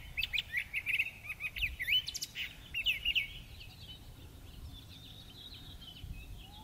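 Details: Neighborhood thrasher singing vigorously at sunset on 19 March 2020: a rapid run of varied, sharp whistled and chirpy phrases in the first three seconds, then fainter, softer notes trailing off over a low background hum.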